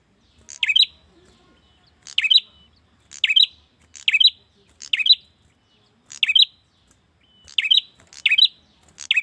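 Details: Male prinia calling for a female with a steady series of short, piercing chirped bursts, each a quick clicky lead-in and rapid high twitter, repeated roughly every second, clean and quiet behind.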